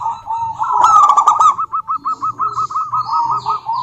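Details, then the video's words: Local female zebra dove, a lively caller, calling to a rival: rapid rolling trill of soft cooing pulses, beginning louder with a cluster of sharp clicks, then a steady string of evenly spaced notes. "Suara Burung Perkutut Lokal betina gacor memanggil lawan"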